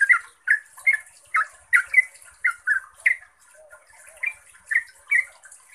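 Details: Lively bulbul chatter, yellow-vented, in the quick 'ropel' style meant to provoke other bulbuls: liquid gurgled notes in bursts, a brief softer lull mid-way, then more phrases, faint hiss behind.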